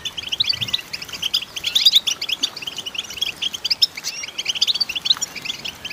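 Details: Female goldfinch sings a busy, rapid twitter of short bright notes, with occasional sharper chips standing out from the continuous chatter.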